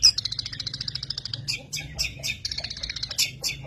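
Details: Long-tailed shrike singing a quick trill of high chirps, then scratchy, varied notes, with a low humming background.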